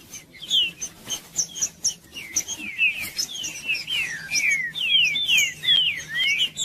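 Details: Green-winged saltator in full song, used as stimulating audio to get a silent bird singing: a steady stream of bright whistled notes, each sliding downward, repeated about twice a second with little break, over a low hum.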